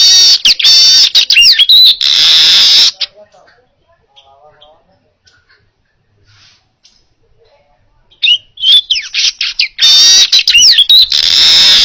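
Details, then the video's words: Repeated baya weaver song for training other cage birds: rapid chattering and wheezy buzzing with sliding squeaks, a long quiet gap, then the same harsh sizzling chatter resumes loudly. "Masteran Suara Burung Manyar Gacor Jernih"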